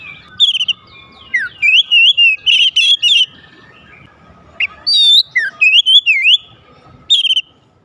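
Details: Magpie-robin singing to spur rival magpie-robins into song: two bursts of rich, looping whistled phrases with quick slurs and sharp upward flicks, separated by a pause of about a second.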